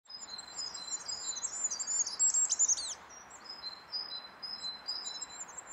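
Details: Goldcrest of the nominate subspecies Regulus regulus regulus, recorded in Brussels, Belgium, in March 2012: a very high, thin, rapid series of tinkling notes ending in a brief flourish, over a steady broad rushing background noise.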